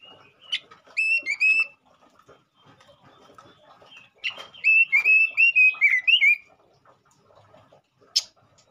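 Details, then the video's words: Male robin singing energetically as a lure to stimulate other robins: two bursts of loud, clear whistled notes, each rapid run of short rising and falling slurs around the same pitch, with a sharp high note near the end. "pancingan burung robin jantan gacor"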